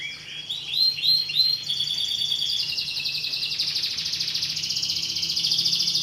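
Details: Canary singing with a sustained, complex high song: a few repeated rising phrases, then long fast trills that run continuously; a low steady hum sits beneath.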